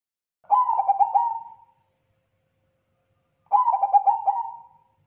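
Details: Two identical phrases of crossing-style song from a Bangkok-type zebra dove, each a burst of rhythmic throaty coos ending in a prolonged note, spaced about three seconds apart in silence.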